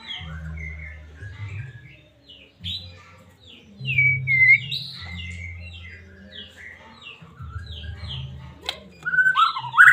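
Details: Medan white-rumped shama song meant to provoke another caged shama: a run of short high downslurred whistles repeated quickly, one sharp clear note midway and a louder twisting phrase at the end, low steady hum beneath.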